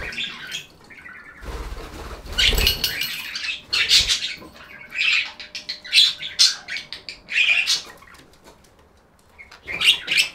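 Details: Budgerigar chatter: dense warbling and squawky chirps in uneven bursts, with a noisy flutter or rustle early on and busy high notes throughout.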